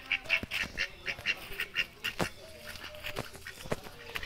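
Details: A pet duck, called itik, quacking in a rapid, uneven series of short nasal bursts, roughly one per second, with some soft background sounds.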